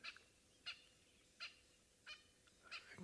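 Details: At sunrise on 11 August 2023 in Sabi Sands, South Africa, on a misty morning beside a deep drainage line, a francolin alarm-calls: five harsh, rasping bursts about two-thirds of a second apart over a soft hiss.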